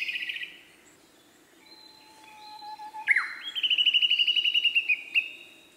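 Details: Male Siberian blue robin singing: a soft steady whistled note, then a sharp upward swoop into a rapid, evenly spaced trill of high chipping notes lasting about a second and a half, ending with a final short note.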